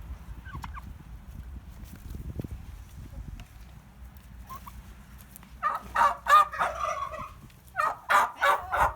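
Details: Rescued turkeys at a farm animal refuge gobble in loud, rapid, bubbling bursts, two volleys of quick rattling notes in the second half, over low background rumble.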